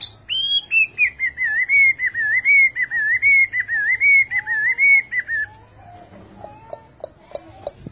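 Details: A Chinese hwamei pours out a long, rolling warble of slurred whistles, rising and falling steadily for about five seconds, then drops to a few lower, softer notes.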